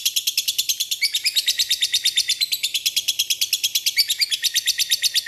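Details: Lovebird giving a lure call to draw a response from rivals, a long ngekek chatter: shrill, high, rapid chirps repeated about three times a second without pause for the whole stretch.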